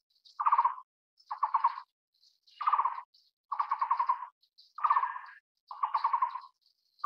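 Taiwan barbet giving low, hollow, rapidly pulsed phrases, each under a second, repeated about every second. A thin, high buzzing runs faintly behind.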